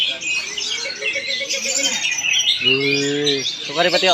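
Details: Oriental magpie-robin, locally kacer, in Palangkaraya, Central Kalimantan, pouring out high twittering and whistled phrases while a man's voice speaks twice over the song near the end.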